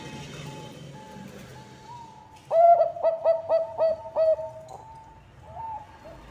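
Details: Zebra dove, Bangkok-type perkutut, singing to lure other birds into song: soft distant trilling, then a loud burst of six sharp, evenly paced coo notes, fading back to faint trills.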